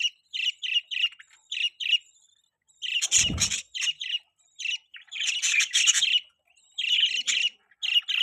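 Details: Pet budgerigars chirping: bursts of high, scratchy warbling chatter and short repeated chirps, dense in places with gaps between, and a brief low thump near the middle.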